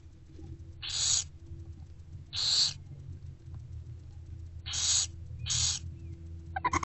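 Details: Growing barn owl chicks beg while their mother feeds them at a nest box in late morning daylight, mid-February 2024: four breathy, rasping hiss-screeches, each about half a second, spaced irregularly, with a low steady hum underneath and a sharp click at the close.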